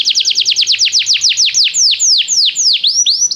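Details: Canary song used to get a canary singing immediately, as training: a fast series of bright descending whistles that gradually slows into wider, swooping notes.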